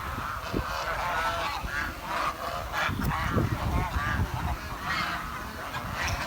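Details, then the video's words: Swans from a village give a steady run of softer, wavering nasal honks and chirps over a dense low hum. "The Chirping Sound of The Village Swan"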